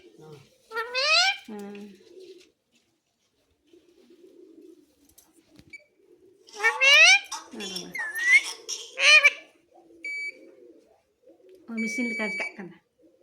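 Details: Pet hill parrot indoors, taught to say "mummy papa". Several harsh, nasal, voice-like bursts with rising tones come in clusters separated by quiet gaps. Faint room noise and a few brief whistle-like tones are heard near the end.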